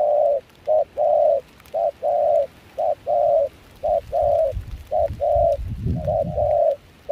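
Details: Wild-caught spotted dove of mixed foreign voice style, used as a trapping decoy in Kon Tum during cold, windy rain, gives steady two-part coos, a brief note then a drawn-out one, roughly once a second; gusty low rumble near the end.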